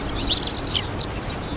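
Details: Chestnut-eared Bunting male in song at a breeding site, coastal grassland along the Ota River, Hiroshima, Japan, June 2020; a brief rapid cluster of sharp, high chipping notes, with a steady low background hum.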